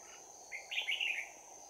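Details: Red-whiskered bulbul with a bell-like voice, fighting at close quarters at a trap, Đồng Nai, 11 January 2019; one short run of quick warbled, chirping notes rising then tumbling, over a steady high insect-like hum and background noise.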